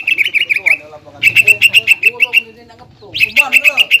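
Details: Greater green leafbird sings a lure full of other birds' melodies to provoke rival leafbirds. Rapid series of sharp repeated chips, pausing twice, with lower warbled and twisting notes beneath them.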